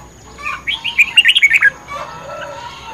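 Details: Red-whiskered bulbul singing in a fighting contest, recorded 10 May 2020, gives one bright, rapid phrase of about eight sharp, whistled notes that rise and fall. The phrase lasts about a second, with soft chatter after it.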